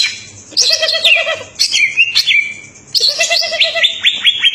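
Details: Greater green leafbird (cucak ijo) singing hard, with a lower steady whistled note under jumbled high warbles, a long descending slide, and a finish of quick repeated down-sweeping whistles.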